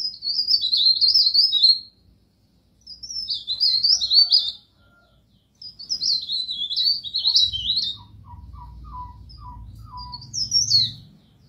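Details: Pied bush chat (burung pare pare) singing in a masteran recording: three high, scratchy twittering phrases of about two seconds each, divided by short pauses, with a few soft lower chirps and a low rumble near the end.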